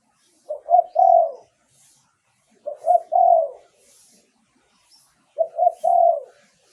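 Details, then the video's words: Lure song of a spotted dove, used for calling in wild doves. Three matching phrases come about every two and a half seconds. Each is a mellow, low coo in three parts, with the last note longest. The background is silent. "เสียงต่อนกเขาใหญ่ เสียงชัด"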